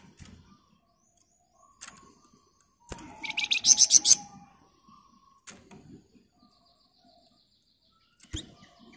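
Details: Flamboyan bird recorded as master audio for training others, with one rapid buzzy ngebren burst of about eight harsh pulses near the middle, surrounded by scattered clicks and soft chips.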